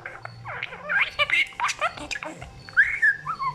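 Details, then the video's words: Pet budgerigar happily chattering: a fast jumble of warbled, twisting notes with short squeaky whistles and a longer rising-falling whistle near the end, over a faint low hum. "grasparkiet lekker aan het kletsen. talking budgie"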